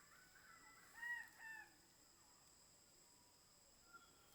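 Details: King bird-of-paradise (Cicinnurus regius), locally called Gobi-gobi, at Badi Gaki Birds Sanctuary: two brief, harsh nasal notes about half a second apart, then one faint note, over a steady high insect whine.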